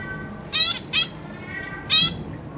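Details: Zebra finch in captivity, parents busy feeding newly hatched babies alongside three juveniles, 3 March 2023: three loud, clear nasal 'beep' calls, two close together then one more after a pause, over quiet background hiss.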